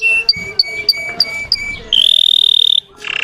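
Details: Russian canary song meant to excite other canaries: a few short whistled notes with gaps, then a bright sustained trill and a brief buzzy ending.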